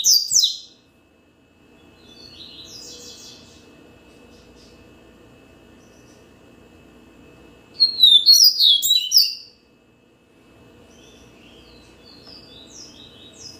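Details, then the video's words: Yellow-bellied seedeater sings repeated short bursts of high, buzzy, rapidly slurred notes, separated by pauses with soft, scattered twitters, against a low steady hum and a thin continuous tone. "Yellow-bellied seedeater song"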